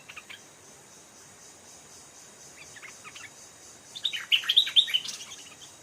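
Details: Stripe-throated bulbul calling during trapping with a caged decoy, as an aggressive old wild bird approaches; faint scattered notes, then a loud bubbly flurry of quick chirps near the end, with an insect-like hiss throughout.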